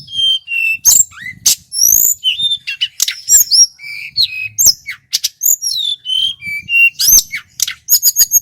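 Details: A male Sunda whistling thrush from Merapi sings a loud, clear, varied song meant to lure and tutor birds: a fast run of high whistles, upslurred and downslurred notes and sharp clicks.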